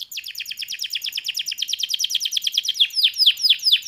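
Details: Canary in fast song: a long rapid trill of evenly repeated bright syllables, accelerating slightly, then several louder downward-sweeping whistled notes at the end; high-pitched and clear.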